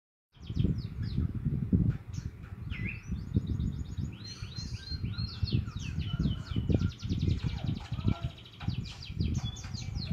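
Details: Young Javan munia learning to chirp, giving thin high rapid chirps and short rising whistles in loose series, over strong low rumbling background noise.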